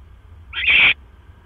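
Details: Barn owl at a nest, a male delivering another mouse, recorded at night at 1:09 AM on 12 October 2015: a single short, harsh, hissing screech lasting about half a second over a quiet low hum.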